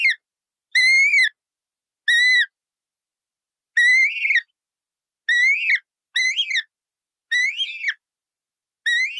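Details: Vivid parrot producing a series of eight harsh, ringing squawks, some clean and arched, later ones rougher and wavering, spaced one to two seconds apart.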